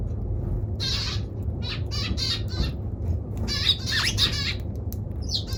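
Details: Eurasian tree sparrow giving a busy run of harsh, stacked chirps, bunched into short bursts around the one-second mark and again near four seconds, over a steady low rumble.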